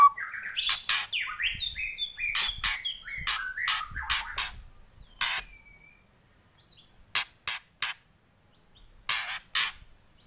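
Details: White-rumped shama (murai batu) kretekan: dense harsh crackling bursts interwoven with short whistled and slurred notes in the first half. Then a quieter stretch with faint whistles, broken by isolated loud crackling bursts.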